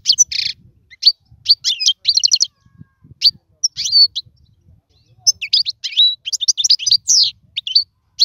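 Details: European goldfinch singing alone in a cage, meant for training fledglings; scattered buzzy note clusters and quick twittered phrases, a silent gap of about a second, then lively rippling trills and bright whistles.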